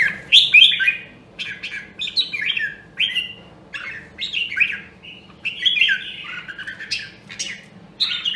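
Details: Red-whiskered bulbul with the rare Nam Đông, Huế voice, used for voice training: short bright warbled phrases sliding and bouncing in mid-high pitch, in bursts with brief pauses, over a faint low steady hum.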